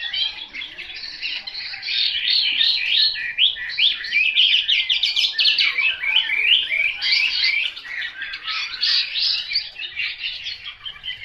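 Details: Selected Chinese hwamei singing a long rapid stream of scratchy, varied high phrases, about three notes per second, churning without a break for over ten seconds.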